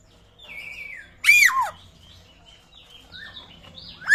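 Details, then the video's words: Papuan butcherbird, whose voice resembles a raptor's: a drawn-out falling whistle, then a loud abrupt downward-swooping cry, quieter wavering notes, and another sharp descending call starting at the end. "BURUNG JAGAL PAPUA SUARA MIRIP RAPTOR LANGKA"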